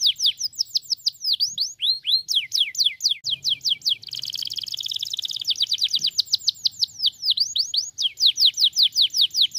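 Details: Singing canary meant to spur other canaries into song; rapid series of descending whistled notes, then a dense buzzy trill in the middle, returning to quick repeated sweeps and rising notes.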